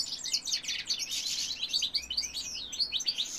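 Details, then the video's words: A goldfinch cock sings a rapid, cheerful jumble of high tinkling chirps and short whistled notes, delivered densely with no real break. "goldfinch cock singing"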